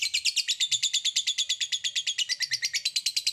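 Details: Lovebird 'ngekek' chattering, a sound said to provoke other lovebirds into answering: a rapid, steady string of high, buzzy pulses, about three per second, running unbroken throughout.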